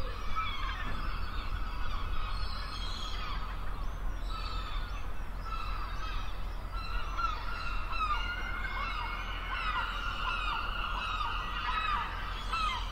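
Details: Gulls at the beach by the sea, many calling together: overlapping arched, nasal calls repeated throughout, some higher squeals above, over a constant low rumble of surf or wind.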